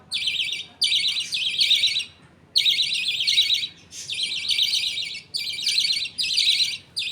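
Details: Pet budgerigar colony at feeding time: a father budgie feeds millet paste to two chicks while the mother watches and others wait. Harsh, buzzy chirping bursts come in blocks of about a second, separated by short silent gaps.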